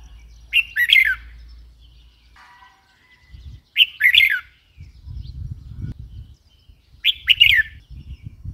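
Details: Three short warbled chirp phrases from a red-whiskered bulbul, spaced about three seconds apart, with low rumbling noise between them.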